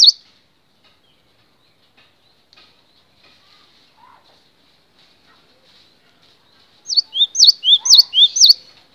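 Near-silence, then a cinereous tit bursts into bright, high, sweeping whistled notes in quick two-note phrases, about eight in under two seconds.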